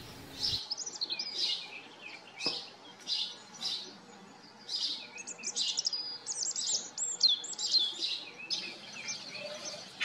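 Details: House sparrows living on a farm, a busy chorus of chirps and quick twittering notes, several birds overlapping, growing denser and more varied toward the end.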